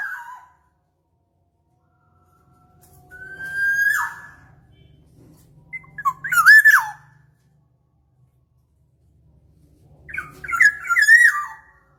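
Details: Black-naped oriole song used as a lure for catching birds: fluid whistled phrases, a drawn-out rising whistle, then slurred, looping liquid notes, three phrases spaced about three to four seconds apart, over a faint low hum.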